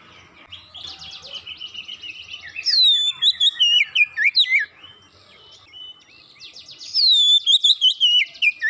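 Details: Oriental magpie-robin song played to make magpie-robins sing: harsh buzzy rasping notes first, then a rich whistled phrase of varied slurred notes, soft scratchy notes, and another loud whistled phrase at the end.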